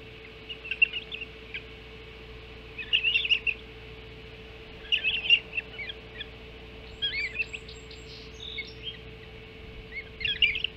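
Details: Early-morning feeding at the Hog Island osprey nest, 7 July 2016; chirping comes in spaced bursts of quick high notes every two seconds or so, with a steady hum behind.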